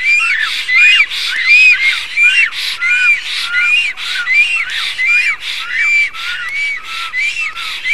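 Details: Estonian black storks greeting loudly while preening and courting, 07/04/2019: a sustained run of rasping, up-and-down whistled notes, about 85 a minute, steady and fairly regular over several seconds.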